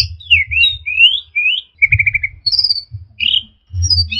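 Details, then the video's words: Orange-headed thrush singing a varied training song of mixed filler phrases: sweet slurred whistles rising and falling, a quick rattled trill, then scattered high notes, over a constant low hum. "Masteran Punglor Teler Gacor Full Isian Kombinasi Tembakan"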